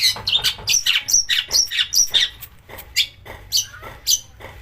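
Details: Long-tailed shrike song meant to rouse other shrikes to sing: a rapid series of harsh, slurred chattering notes, slowing toward the end into isolated scratchy calls.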